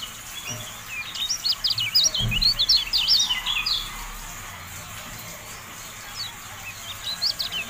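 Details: Kecial kuning, the Javan white-eye, in a masteran recording. A dense burst of sharp, twittering high notes comes in the first few seconds, then a quieter lull, then a second shorter twitter near the end. A low thump sounds early on.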